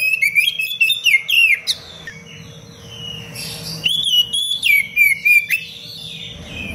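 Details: Oriental magpie-robin song recorded as a training master for other caged birds: rapid bursts of clear rising and falling whistles and sharp chirps, a quieter gap mid-way, then another whistled phrase, over a low steady hum.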